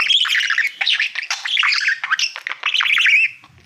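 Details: Male pet budgie warbling to a mirror-like award plaque; fast, scratchy chatter of buzzy and whistled fragments running steadily, then fading out at the end.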